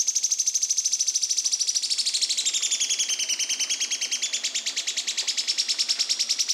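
Yellow-chinned spinetail giving a dry, high rattling trill of about a dozen clipped notes per second, sagging slightly in pitch midway, then rising.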